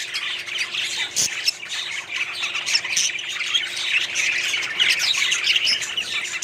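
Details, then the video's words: Budgerigar colony in a small setup, many birds calling at once: continuous high chirping and scratchy squawks blending into busy chatter, with a single sharp click early on. "budgies small colony setup"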